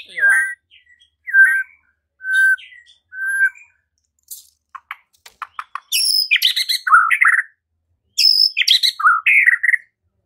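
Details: White-rumped shama answering a provoking lure recording meant to trigger singing and fighting; soft whistled phrases first, then loud harsh high chattering bursts mixed with slurred whistled notes.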